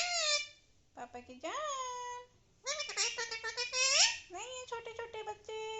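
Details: Alexandrine parakeet talking indoors, a string of harmonic, voice-like syllables with rising and falling tones, short gaps between phrases, and a bright squeaky burst near the end.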